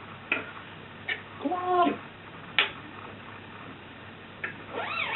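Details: Pet African grey parrot known for swearing, burping and farting, indoors: scattered sharp clicks, then a buzzy harmonic-rich vocal burst of about half a second, and a rising, looping note at the end.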